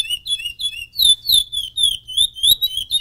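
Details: A champion chestnut-bellied seed-finch sings a rich, continuous run of clear whistled notes, sliding up and down with quick warbled flourishes, about three phrases per second.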